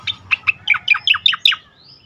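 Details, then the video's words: Short burst of striated grassbird song used to train songbirds: about eight quick descending chirped notes in a row, evenly spaced, fading into a faint thin whistle. "suara merdu cica koreng"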